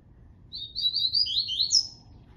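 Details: Double-collared seedeater singing the Tui Tui song style: a quick phrase of slurred, high whistled notes that step downward, then a sharp rising whistle to finish, all in about one and a half seconds, over a faint low hum.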